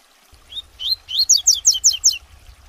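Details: Captive-bred double-collared seedeater, a tutor bird for teaching females and young, sings a quick run of about seven sweet, sliding whistled notes, high and evenly spaced, over a faint low hum.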